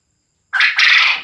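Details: Male quail calling loudly enough to keep neighbours awake; a single harsh, noisy two-part call, a short burst followed by a longer buzzy note, after half a second of silence.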